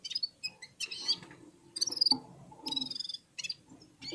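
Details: Red-fronted serins warming up and singing in unison among other birds, a stop-start series of quick high twittering bursts and tinkling trills, each under a second, separated by brief pauses, with faint lower chirps beneath.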